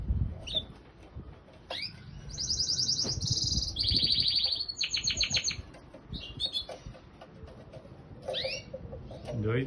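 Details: A pet canary singing with some parrots present: sustained buzzy high rolls and a rapid trilled phrase, with scattered chirps and a person speaking Portuguese at the start and end.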